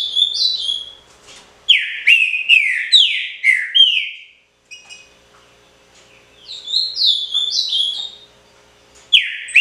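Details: Pixarro song from a caged Green-winged Saltator: bright whistled phrases of descending slurs in fast succession, a quiet gap with faint ticks, then another burst of high sliding whistles and a final loud note.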